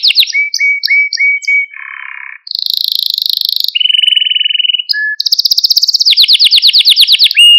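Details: Maltese canary male in song meant to excite other canaries, opening with short whistled notes, then buzzy rolled trills shifting between low and high pitches, ending in fast bright high trills and a clear whistle.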